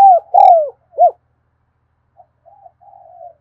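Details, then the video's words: Spotted dove performing 'thúc gù' cooing in the afternoon: a falling coo, a longer descending one, then a short arched note, trailing into soft faint cooing murmurs. "tiếng cu thúc gù hay và liên tục"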